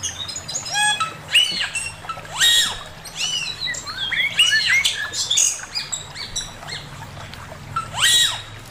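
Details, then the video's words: Male Chinese hwamei giving master song: loud, varied whistled phrases, many sharply rising and falling sweeps and rapid trills, delivered in bursts with brief pauses, steady low background hum. "Burung poksay mandarin suara masteran Poksay mandarin jantan"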